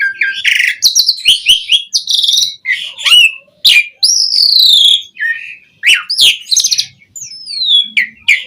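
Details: Asian pied starling delivering a full, varied song meant as a lure for other starlings; rapid jumble of harsh rasps, clicks, buzzy notes and bright whistles, including a long falling whistle near the end.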